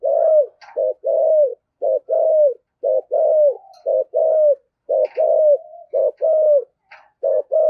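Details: A decoy spotted dove calling in the 'thổ sấm' voice style, used to provoke wild doves: steady runs of low, arched cooing notes, short and long, repeated almost without pause about once a second, with faint higher chirps now and then.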